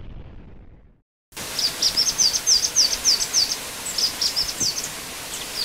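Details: Black-winged flycatcher-shrike (jingjing batu) song after a brief silence: a rapid run of high, thin, down-slurred notes, about three or four per second, in two phrases with a short pause between, over faint steady background hiss.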